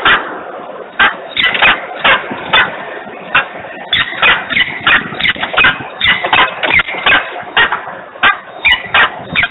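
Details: Peregrine falcon screaming in Włocławek at 10:36 on 3 December 2020: harsh, loud calls repeated in rapid bursts several times a second with brief gaps, over a steady low background hum.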